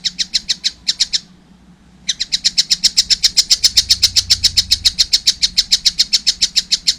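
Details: Juvenile collared kingfisher gives a rapid, steady series of harsh high kek notes, nearly four per second, after a short opening burst and a one-second pause.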